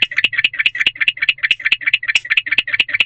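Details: Pre-dawn calling by a male barn owl that has gone into a nest box, 20 February 2023, about 4 am. Crisp rasping clicks come in quick regular succession, a little over two per second, with a faint low hum beneath.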